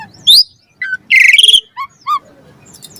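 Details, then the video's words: Asian pied starling singing a varied master song used to coax caged birds into full song: a few clear whistled notes and a harsh buzzy burst, separated by short silences, with faint low background noise. "Pancingan Jalak Suren Gacor Mompa Isian Variasi - Masteran Suara Burung Jalak Agar Gacor Full Isian"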